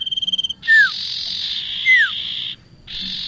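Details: Bar-winged prinia recording used to lure birds into traps: rapid ticking notes, then a long harsh buzz with two clear whistled notes sliding downward laid over it, and a final buzzy burst.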